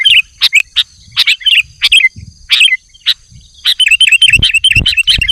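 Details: Sooty-headed bulbul calling to wild bulbuls; loud bursts of bright, liquid whistled notes in quick repeated phrases, some rising then dropping, with a steady high insect-like hum throughout and a few low thumps.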